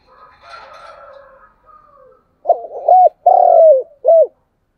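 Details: Spotted dove calling in the morning to lure wild doves nearby; a soft, muffled warble opens, followed by four strong, rounded coos, the third long and drawn out.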